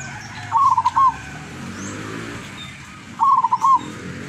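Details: Wild local zebra dove of the lurah song grade from Tuban, East Java, used as a decoy bird: two rolling, trilled coo phrases near one pitch, each about half a second, separated by a pause of over two seconds.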